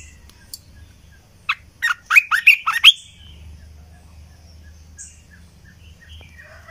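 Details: {'caption': 'Red-eyed bulbul decoy recording: one quick bubbly burst of six or seven warbled notes, each sweeping up and down in a mid-high range, lasting about a second and a half before quiet low hum.'}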